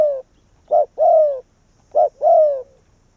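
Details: Decoy spotted dove from Vietnam luring wild doves to the same tree. Two clear phrases, each a short punchy coo followed by a longer, slowly falling coo, separated by silence.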